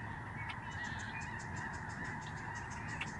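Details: Lesser Snow Geese massed in the sky above the George C. Reifel Migratory Bird Sanctuary, Canada, in autumn 2011; a ceaseless clamour of honks with brief sharper yelps rising out of the crowd.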